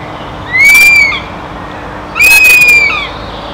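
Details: Begging cries of a young northern goshawk still in the nest, filmed during evening hours: a pair of piercing, long, level whistled screams with a slight upward start, spaced under two seconds apart, with near silence between.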